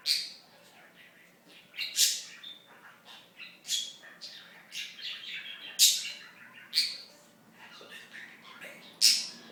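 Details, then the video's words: Pet budgie's talking mixed with harsh, buzzy squawks and shrill chirps at irregular intervals, quieter garbled chatter filling the gaps. "Talking Budgie"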